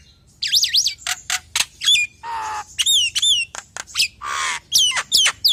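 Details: Nias hill myna lure song for drawing other hill mynas: quick zigzag whistles, sharp clicks, a long harsh buzzing squawk and loud ringing downslurred whistles, delivered in irregular bursts.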